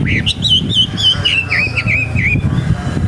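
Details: Wild young wambi gives a chain of about ten short whistled slurs, each dipping and rising, fast and evenly spaced, then stops; low rumbling noise continues underneath.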